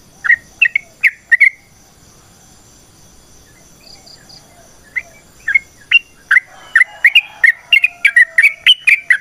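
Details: Trucukan, the Sooty-headed bulbul, in natural ropel panjang song for luring: a few liquid whistles, a quiet stretch of several seconds, then a rapid, quickening series of bubbly notes.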